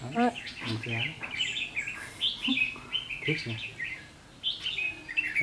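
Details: During a trapping contest on 7 July 2016, a red-whiskered bulbul sings ché song to intimidate the decoy: rapid bright warbled phrases throughout, with men speaking over it.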